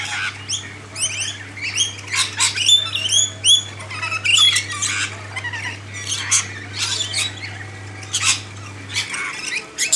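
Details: Lorikeets being hand-fed in a backyard: a flock of shrill, screechy squawks and chattering chirps in rapid bursts, several birds calling over one another, with a steady low hum underneath and a few sharp whistled notes.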